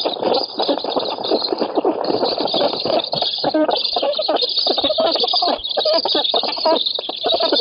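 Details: Black storks at an oak-tree nest in Poland, 7 August 2018, competing for a fish, give a dense, overlapping stream of harsh, wheezy, hissing calls with a few thin whistled notes.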